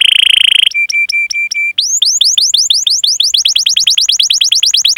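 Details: Canary long chirping master song for training canaries: a high buzzy tone, then five flat, pure piping notes, followed by a speeding series of bright upswept chirps.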